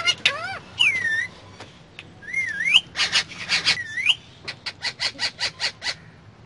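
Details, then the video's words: Pet parrot talking while riding in a car: clear whistled swoops and bent tones mixed with speech-like bursts, then a rapid series of short, even chirps, over a low engine hum. "Mitthu Talking In Car"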